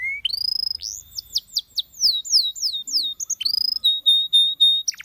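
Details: Canary singing, said to draw other canaries into song: a rising whistle, then a run of quick downward-sweeping notes, a steady held whistle and sliding notes at the end, all high-pitched and clear.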